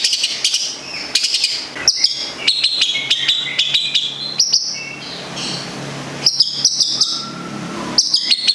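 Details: Long-tailed shrike from Gedong Songo, Central Java, Indonesia: varied high song of sharp ticks, short whistles and level piping notes in quick clusters, with pauses and a low background hum.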